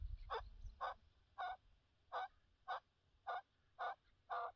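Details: Chukar partridge from a partridge-hunting outing, giving a series of harsh, clucking chuk notes repeated about every half second, eight bursts in steady rhythm, with low rumbling background noise.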